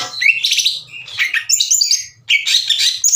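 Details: Green leafbird kept as a cage bird, singing to stir up rival birds' emotions so they reply; rapid mix of sharp chirps, slurred whistles and high ringing notes in short bursts with brief pauses.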